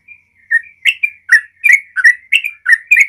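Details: Sooty-headed bulbul singing a rapid 'ropel' style song meant to lure other bulbuls into singing: a soft opening note, then bubbly, slurred whistled notes, each dipping and rising, repeated about three times a second with no other sounds.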